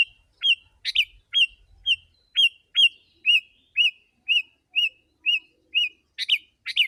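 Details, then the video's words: Sooty-headed bulbul calling rapidly as a lure for wild birds, a steady run of about fourteen whistled notes, some rising sharply and some flatter, evenly spaced about every half second, with burbling notes at the end. "Kutilang si.ladusing super gacor suara rapat menekan burung liar"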